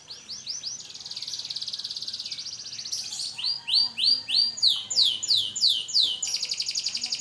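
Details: After moulting, an AF canary practises song: a thin high trill that runs on for two seconds, followed by loud arching whistled notes repeated about three per second and a final buzz.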